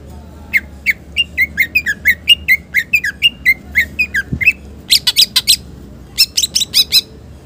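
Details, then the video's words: Green leafbird (cucak ijo) in full song with a rich repertoire, used as a lure and tutor recording for other birds: a steady run of sharp, downslurred whistles about twice a second, then bursts of fast, high, crackling chatter over a low hum. "Cucak ijo gacor Bongkar isian mewah Muzarab buat Pancingan dan masteran"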